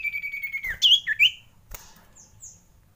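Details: Common iora, frightened, giving a lure call: a long level whistled note that slides downward, then quick swooping whistles rising and falling, ending in faint scattered notes.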